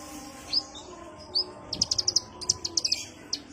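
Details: Relaxed lure call of the kolibri ninja sunbird: two thin rising whistles, then a quick run of high chips and a few scattered sharp notes.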